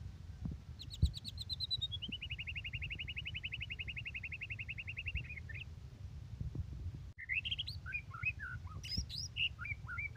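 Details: White-rumped shama singing strongly: a long, even rattling trill of rapid repeated notes lasting several seconds, then a jumble of varied whistles over steady low background noise.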